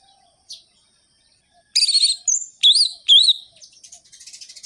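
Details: After a faint chip, an orange-headed thrush bursts into buzzy notes and looping whistled phrases, ending in a soft fading trill. Sung in a sharp, rhythmic style to rouse other thrushes.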